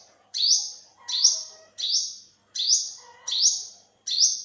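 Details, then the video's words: Olive-backed sunbird recorded in 2021 in Thailand, six rasping upslurred calls at an even pace of about one every 0.75 seconds, each ending in a thin steady buzz. "เสียงนกกินปลีอกเหลือง Olive-backed sunbird, Yellow-bellied sunbird"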